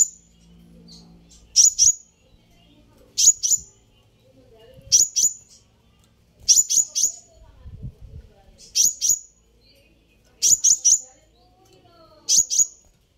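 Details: Sunbird call used to provoke a reply: sharp, very high double notes, repeated roughly every one and a half to two seconds, with quiet gaps between.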